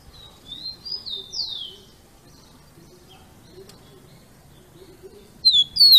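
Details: Rufous-collared sparrow in captivity giving its 'Jesus Meu Deus' song: a soft phrase of high whistles rising then dropping, followed by quiet, then a sudden loud sharp descending whistle at the end.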